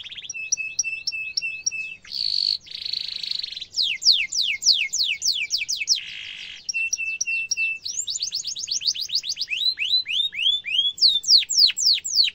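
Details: Canary song used to tutor young canaries, sharp and rolling: steady flat chips, buzzy harsh bursts, long runs of rapid falling sweeps and upswept whistles in changing, fast-repeated phrases.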